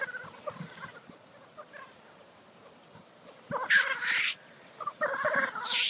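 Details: At a black grouse lek, low cooing bubbling murmurs run in the background while two loud, rushing hissed sneezes burst out in the second half, the last one continuing to the end.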